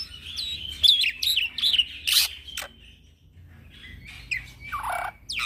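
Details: Young black-winged myna singing as a lure for training birds: harsh notes and bent whistles for about two and a half seconds, then quieter thin whistles and a soft rasp.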